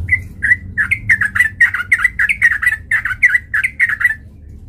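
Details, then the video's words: Sooty-headed bulbul, male, song used as a lure to provoke fighting: rapid run of short bubbly whistled notes near the same pitch, about four per second, continuous for four seconds, faint low hum beneath. "PANCINGAN trucukan gacor TARUNG MENJADIKAN burung trucuk gacor NYAMBAR"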